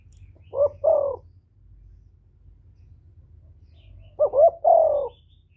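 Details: Spotted dove decoy calling repeatedly to lure other doves: two phrases about four seconds apart, each a pair of short rising notes followed by a longer falling coo, with a low hum beneath.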